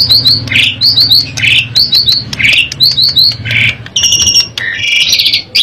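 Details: Asian pied starling song used as a lure for other birds: a patterned series of three quick whistles followed by a harsh rising squawk, repeated about every second, then buzzy nasal notes, over a low hum.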